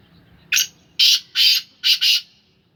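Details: Black francolin of the Sindhi Gangas breed, kept at home, gives a full grating call of five harsh, buzzy notes. One short note is followed by two longer ones and a quick closing pair, all against a quiet background.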